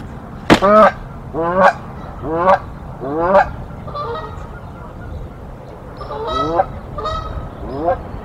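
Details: Canada geese, a mated pair defending their nest in a tree against an intruder goose at Decorah on 1 April 2024; loud harmonic honks with upslurred starts, about eight in eight seconds, some overlapping, over a low steady hum.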